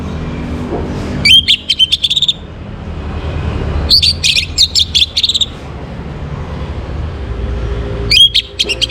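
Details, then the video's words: Morning orange-headed thrush song used to bring birds into breeding condition: three bursts of high, buzzy twitters mixed with short whistles, each lasting about a second, with low background noise between them. "Naikan Birahi ANIS MERAH pancingan PAGI HARI"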